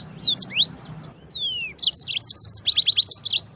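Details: Tutor song of a yellow-fronted canary for canaries and shamas, with upslurred whistles, a drawn-out descending whistle, then a lively chain of quick repeated high notes in even rhythm.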